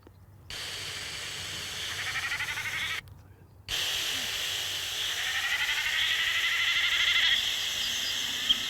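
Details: Common snipe drumming, recorded the day before during display flights in the Haarmoos wet-meadow breeding area in Bavaria and played back outdoors in the wind: a fast, pulsing, goat-like bleating whirr that swells and rises.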